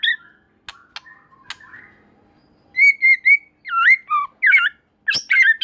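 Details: White-rumped shama singing a song claimed to make other shamas sing: soft clicks and faint whistles, then clear repeated whistled notes followed by looping, swooping phrases and sharp accents.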